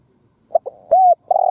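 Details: Spotted dove lure call fragment: a short note and a soft dip, a clear arched coo, then the start of a longer buzzy coo cut off abruptly.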